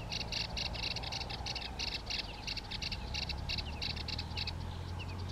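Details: Yellow-eyed babbler in India singing a steady run of short, high, clipped notes, about four a second, over a constant low rumble.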